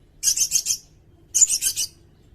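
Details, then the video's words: Sirindet song used as a tutor recording for songbirds: two bursts of rapid, high, buzzy chattering notes, each about half a second long with four pulses, separated by a short pause in a quiet background. "Suara burung sirindet buat masteran bagus juga buat pikat"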